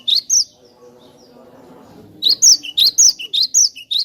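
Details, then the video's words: Cinereous tit used for luring birds: two loud high notes, a brief lull, then a rapid, bright chain of about ten sharp whistled notes alternating slightly in pitch. "suara merdu burung Glatik Batu Pas banget buat pancingan"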